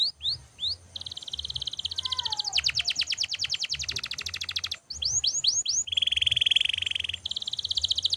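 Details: Canary singing nonstop for training other birds: loud varied phrases of fast repeated high trills, downward-sweeping whistles and a sustained buzzy note, with short pauses between bursts.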